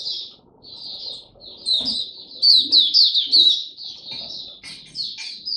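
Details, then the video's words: Oriental white-eye in a cage, song display in the 'Buka Sing Raja' style, recorded 26 November 2022: soft high twitter building into loud, sweet, slurred whistled notes in quick succession, with faint low background murmur. "Mata Puteh Buka Sing Raja"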